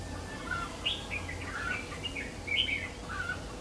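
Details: Red-whiskered bulbul used as a lure bird in trapping, recorded 3 September 2019: short bright warbled phrases of slurred whistles, rising and falling, scattered through the clip over a low steady rumble.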